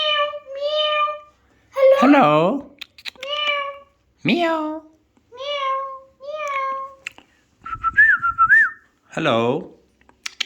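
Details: Alexandrine parakeet mimicking speech and meows: short nasal, harmonic syllables repeated with gaps, mixed with a wavering whistle near the end.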